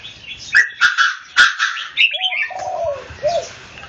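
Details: Red-whiskered bulbul in a singing contest with another bird: a few loud clipped notes, a run of liquid chirps, then two mellow whistles that fall and rise, set against background bird chatter.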